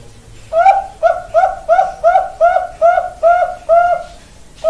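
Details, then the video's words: Champion Bangkok-type zebra dove song used as a training recording: a steady string of about eight soft, mellow coo notes, each with a slight upward lilt, at roughly two to three per second. "SUARA PERKUTUT BANGKOK JUARA"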